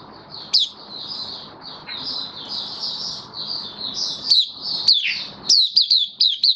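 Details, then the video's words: Caged mata puteh (white-eye) in "buka" song, 18 May 2022, post-deworming and supplements; a continuous thin high warble with occasional sharp downslurred chirps, becoming a run of quick separate notes toward the close. "Mata Puteh Kitaro buka sing"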